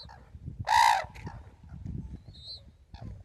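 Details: Red-crowned crane at Tsurui village's Ito Sanctuary, 30 November 2016, gives one loud, harsh trumpeting note rich in harmonics lasting about a third of a second, followed by fainter distant calls, a brief thin whistle and low background rumble.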